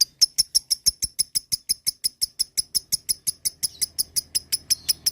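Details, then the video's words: Lovebird giving a long ngekek chatter, a local song style, used as a lure to excite other lovebirds: sharp, high, clicking notes repeated steadily about six times a second for five seconds, with a faint low hum behind. "Mancing Lovebird agar Emosi Ngekek Panjang"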